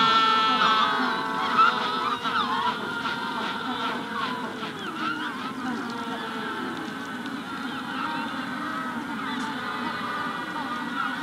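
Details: Magellanic penguins calling in a colony at the hatching stage, with a rufous-collared sparrow in the background. Many birds overlap in a steady din of nasal, harmonic honks and braying pulses. A thin whistle appears near the start.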